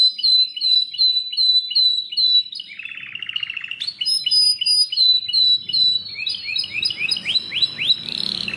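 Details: Belgian canary song with repeated sharp high chirps, a low rolling trill in the middle, then bright whistled phrases and rising swept notes repeated in quick succession, slight background noise late on.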